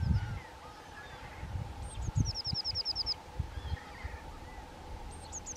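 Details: Young White-tailed Eagles, two birds, give rapid strings of high, thin yelps about ten notes long, spaced by a pause and then started again, with gusting wind and low rumble underneath.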